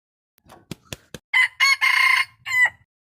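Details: Rooster crowing on 06/04/2022. A few sharp clicks come first, then a loud, hoarse crow with a drawn-out middle note and a short falling final syllable.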